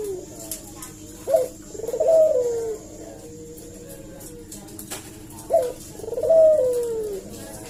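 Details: Two coo phrases by a Barbary dove used as a lure: each a brief sharp note followed by a stuttering, falling purr, spaced about four seconds apart, with quiet hum between.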